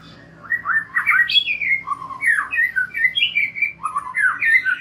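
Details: White-rumped shama song as a lure for young forest birds: a steady flow of fluty whistled phrases, sweeping up and down, with short pauses between rich slurred notes.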